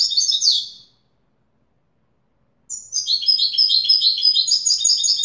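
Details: Widani-style song from a European goldfinch: a short bright twittering phrase, silence, then a lively run of rapid high chirps and liquid trills continuing to the end.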